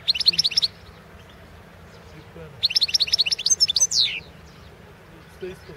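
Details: A Balkan goldfinch, Carduelis carduelis balcanica, recorded for the 2016 world goldfinch song championship. Two rapid trilled runs of bright liquid notes, the second ending in a descending buzzy slur, separated by a quiet pause.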